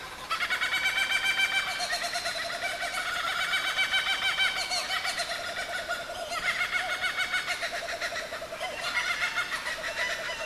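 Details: Kookaburras calling in the dark just before dawn at Mt Field National Park, Tasmania, Australia, in May 2012: a dense, loud chorus of rapid rhythmic cackling and chuckling hoots that rises and falls in overlapping waves throughout.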